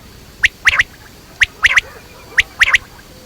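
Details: Quail, batair: a sharp single click followed by a rapid two- or three-note scratchy cluster, the pattern repeated three times about once a second.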